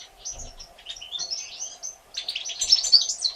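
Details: Three one-day-old European goldfinch chicks, hatched 1 April 2017, being fed by their mother: dense high-pitched chirps and squeaks, a burst at the start, a short lull, then a louder frantic run of squeals near the end.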